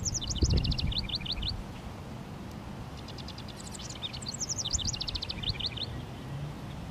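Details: House wren, a male, singing to mark territory among bushes and a honeysuckle-draped fence on a warm, sunny Mother's Day: two rapid, cascading bubbly phrases about three seconds apart, each a dense run of high twittering notes.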